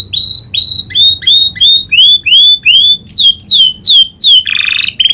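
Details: Domestic canary with learned prinia clicking call: a rhythmic run of about sixteen short whistled notes, first rising then sweeping downward, roughly three per second, closing with a buzzy burst.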